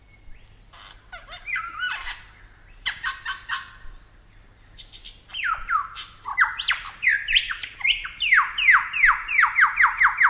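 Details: Superb Lyrebird from Australia, harsh clattering phrases at first, then an accelerating series of loud downward-sweeping whistles that ends in a rapid, even run of repeated notes.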